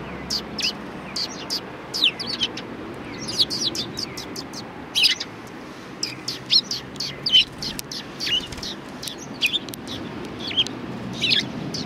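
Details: Several sparrows calling at a Tenmangū shrine, recorded 1 March 2020: a busy, continuous run of high, clipped chirps and tweets, overlapping and irregular, with a faint low rumble underneath.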